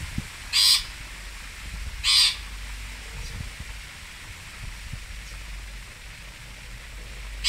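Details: Cendet or pentet, the long-tailed shrike, recorded at Singosari, giving two widely spaced, loud grating rasps about a second and a half apart, with another starting at the end, against faint low-pitched background noise.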